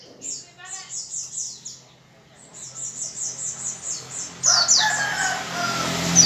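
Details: Gacor white-eye singing to set other white-eyes singing: a rhythmic series of high, evenly spaced downslurred notes, a brief pause, another even series, then denser, sharper notes over a rise in background hiss.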